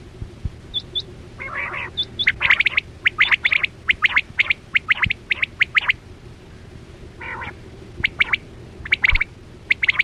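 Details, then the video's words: Quail lure call used with nets in hunting, 2024-25 season. Rapid series of sharp whistled notes, in groups of three, about seventy a minute. Two raspy chattering bursts and a faint high twitter sound over a steady hum. "Sound Of Chora Quail Batera"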